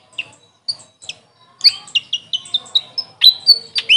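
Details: Grey fantail, local name Maria Capra, starting with a few isolated thin chips, then a quicker series of bright, high, short notes that grow louder and closer together.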